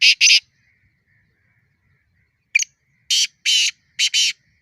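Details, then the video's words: Black francolin fighting call: two harsh rasping bursts close a first phrase, then a new phrase begins with a sharp clipped note followed by four grating buzzy blasts; a faint thin whistle sounds in the gaps. "Kala Teetar Fight|Kala Teetar ki phali bulai or 3rd Bulai|Kala Teetar ki awaz|Black franclion voice"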